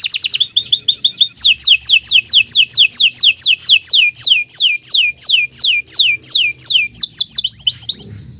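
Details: Canary song used as a training model: a long series of loud, evenly repeated notes sliding sharply downward, about one and a half per second, ending in quicker rising notes.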